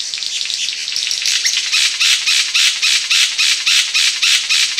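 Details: King of Saxony bird-of-paradise (Pteridophora alberti): a harsh, buzzy, hissing rasp broken into broad bursts, repeated rapidly about three to four times a second in a steady series that grows louder after the first second.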